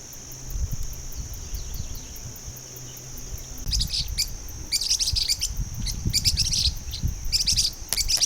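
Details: A numerous flock of blue-winged parrotlets (Forpus xanthopterygius) in Brazil at the start of the dry season, feeding on dry seeds, gives high, sharp chirps in quick clusters after a thin insect-like whine, over low wind rumble.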